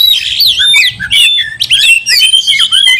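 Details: Oriental magpie-robin singing loudly to provoke another bird to fight; busy run of bright whistled slurs and rasping notes packed tightly with barely any pause.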